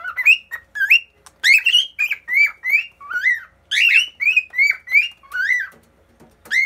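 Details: Indoor cockatiel perched on a refrigerator with a companion cockatiel beside it, singing a continuous series of warbling, upslurred whistles, each note rising and falling, delivered in quick succession with brief gaps and faint clicking.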